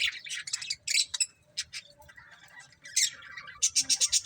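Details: Budgerigar breeding pair chattering: quick harsh chirps and squawks, a softer warbled stretch in the middle, then a fast run of bright repeated notes at the close.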